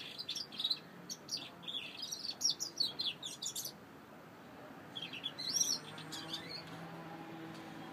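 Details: Singing saffron finch gives a lively sequence of sharp, high chirps in quick succession for about three seconds, pauses, then adds a shorter cluster of bright notes over low room noise.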